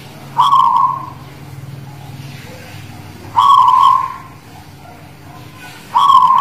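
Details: Perkutut guling Murio zebra dove from the Muria highlands of Kudus, singing in performance: rolling, purring coos with a sharp start and a fading trill, three phrases spaced roughly three seconds apart against steady low background noise.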